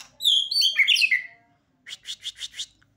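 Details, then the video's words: A beginner white-rumped shama sings straight away: a rich burst of clear, sliding whistles, then five quick, harsh chattering notes. "murai batu || langsung gacorr"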